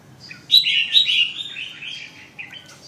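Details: Red-whiskered bulbul delivering a loud, clear warbled phrase of quick rising and falling whistled notes, followed by softer trailing chirps, against a quiet background.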